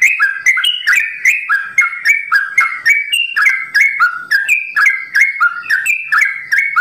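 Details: Caged sooty-headed bulbul of the simbar jati variety singing its extended rapid 'ropel' song at a bird farm, crisp whistled notes rising and falling in brisk, slightly uneven rhythm.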